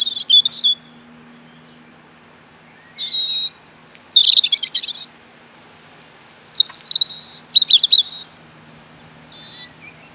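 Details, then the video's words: A robin sings short, high, sweet warbling phrases with thin piping notes, each burst separated by pauses of one to two seconds, over a faint low hum. "Amazing Bird Robin Singing"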